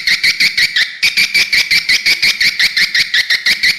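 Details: Swiftlet lure call played to attract birds to a bird house: rapid, steady series of bright chirping twitters, about three per second, unbroken and evenly pulsed throughout.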